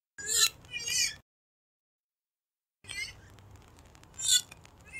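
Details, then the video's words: Hunting-lure recording of a purple swamphen: a pair of harsh, nasal wailing notes, then silence, then a hissy passage with more short squealing calls. "কালিম পাখির ডাক । Purple Swamphen Bird Call"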